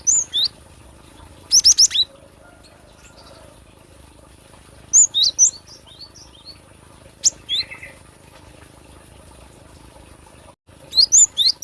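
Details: Cinereous tit, a recording for luring or song tutoring: clusters of very high, sharp whistled notes in fast bursts, separated by quiet gaps of a few seconds, ending in a dense run of repeated high chirps.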